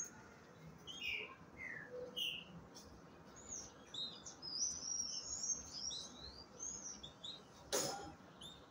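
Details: Caged green-winged saltators at breeding time, the female described as ready and asking for a male: scattered whistled and slurred notes, then a dense run of high chirping phrases, one sharp click near the end, quiet background.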